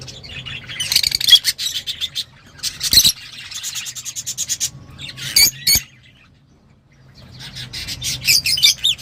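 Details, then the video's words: Lovebirds kept indoors calling in bursts of rasping, shrill chattering notes, a loud spell, then a brief quiet gap before the harsh twittering resumes; a low hum underneath. "تغريدروز/صوت روز /Love Bird Sound"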